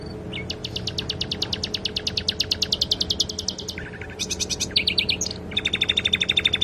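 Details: Canary song with copied sikatan londo flycatcher notes, played for training songbirds: long even trills of rapid high pulses, shifting pitch between sections, including a lower buzzy stretch and a bright high-pitched ending trill.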